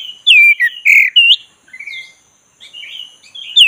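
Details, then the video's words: Oriental magpie-robin, black-breasted variety, singing 'ngeroll' style to draw a lethargic bird into singing: loud, rich looping whistles in a fast opening phrase, then a pause and gentler fluty notes ending on a sharp upward note. "ngeroll santai!!pancing kacer tak bergairah jadi gacor|kacer dada hitam"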